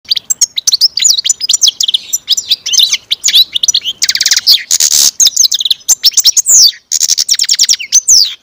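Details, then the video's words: A captive-bred European goldfinch sings a fast, continuous stream of tinkling, twittering notes and buzzy trills, high-pitched and varied, with no other sounds. "European Goldfinch carduelis singing"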